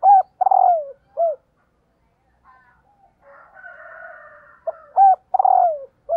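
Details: Calling female spotted dove, meant to excite males: the coo phrase of short note, looped double coo, long falling rolled coo and short coo opens and closes, with a raspy buzzing sound in between.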